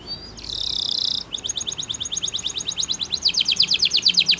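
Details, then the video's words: Canary training song: a dense buzzy burst, then a long series of quick clipped notes that grow louder and faster toward the end, over a soft constant background hiss. "It's Impossible If Your Canary Doesn't Ring!!"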